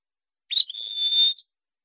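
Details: Wallcreeper producing one drawn-out, thin whistle that starts with a brief flicker and then holds a nearly steady high pitch for almost a second.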